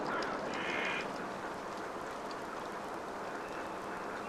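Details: Yellow-legged gulls, two birds squabbling over a fish: one loud, harsh, drawn-out call lasting about half a second near the start, then fainter cries amid constant noisy background.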